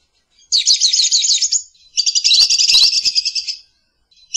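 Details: Lovebird giving two long runs of fast, shrill, rasping chatter, the second with soft rustling clicks beneath it, and a short sharp note at the very end.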